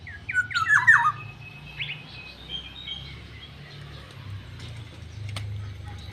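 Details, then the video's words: A yellow-headed black-naped oriole, said to be fierce, gives a brief burst of rasping, downward-slurred nasal notes in quick succession. It then falls quiet apart from soft scattered chirps and steady low rumbling noise. "burung kepudang khas suara asli"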